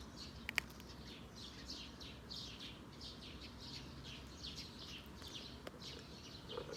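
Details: Sparrows heard during a blueberry harvest: a steady stream of short, high chirps from several birds, overlapping and repeated throughout, over a low background rumble.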